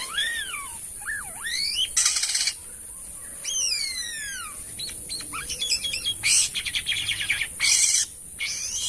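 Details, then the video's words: An Asian pied starling sings energetically, mixing sweeping whistles that arc up and down with scratchy chatter and several loud, harsh rasping blasts. "BURUNG JALAK KAPAS GACOR ‼️ Unik Suaranya dan Rame"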